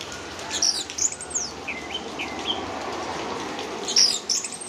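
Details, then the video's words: Orange-headed thrush swaying like a merry-go-round as it sings: scattered high whistled and slurred notes, some sweeping up and down, with soft wing flutters and a steady background hiss. "Anis Merah Teler digoyang ala Komedi Putar"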